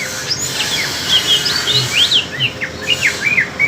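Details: Greater green leafbirds in a singing duel, one from East Kalimantan and one spotted bird from Alas Purwo, Banyuwangi. Quick slurred whistles and short chirps tumble over each other in a busy, overlapping stream of notes.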